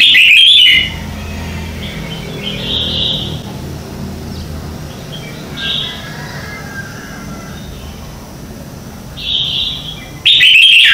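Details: Red-whiskered bulbul singing its morning contest song, used as a decoy for training. A loud warbling phrase opens and closes the recording. Softer, distant whistled phrases come every few seconds between them over a low background hum.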